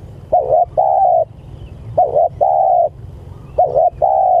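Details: Spotted dove calling its companions with low mellow coos, a wavering short note followed by a longer steady one, the pair repeated three times about every one and a half seconds, low hum beneath.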